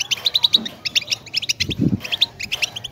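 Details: Goldfinch (European) pouring out quick clusters of sharp, high twittering notes in bouncy phrases, with a couple of soft low thuds in between.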